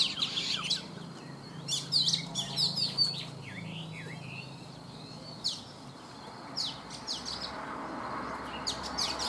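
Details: Caged Oriental magpie-robin, taken from the wild as an adult and kept three seasons, singing in the morning: scattered sharp chips and curling whistled phrases with pauses between, fairly soft against background noise.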